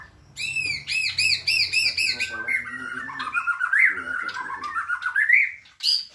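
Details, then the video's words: Energetic white-rumped shama song from a caged bird: a fast series of repeated arched chirps, then a long wavering whistled run of slurred notes with a sharp high note at the end. "Murai bordan gacor"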